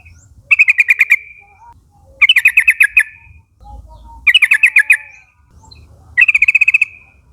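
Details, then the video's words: Yellow-vented bulbul (trucukan), young forest flock birds calling companions to join: four loud bursts of seven to eight rapid bubbly notes, each ending in a short trailing tone, spaced about every two seconds. "pancingan suara burung trucukan nguplik gacor memanggil kawan ombyokan muda hutan agar ikut bunyi"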